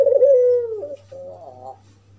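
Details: White albino collared dove with red eyes gives a single long, smooth coo that slides gently downward and dips at the close, then a softer wavering trill, a call meant to provoke other doves.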